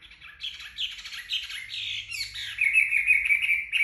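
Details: Chinese hwamei singing after a bath while drying its feathers in the sun: a rapid, varied run of bright whistled and chattering phrases, ending in a sustained high repeated trill.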